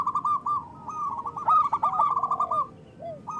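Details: Local zebra dove song as a lure: rippling, rapid coos in overlapping phrases, a few lower sweeping notes, then a short lull before the next burst.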